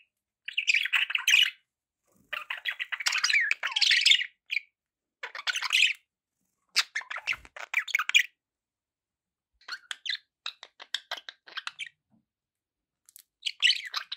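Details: Budgies kept as pets give long runs of scratchy, buzzy chatter in bursts of one to two seconds, separated by brief silences, with clicking notes mixed in.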